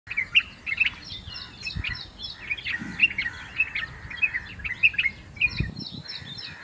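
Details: White-eared bulbul (Pycnonotus leucotis) singing in Mumbai: a bubbly run of short, bright chirping notes, about two a second, with faint background chatter and low rumble.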